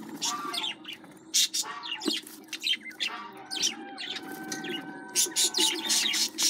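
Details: Baby budgerigar chicks giving raspy, squeaky calls in short irregular bursts, with some steady tonal background hum and faint voices underneath.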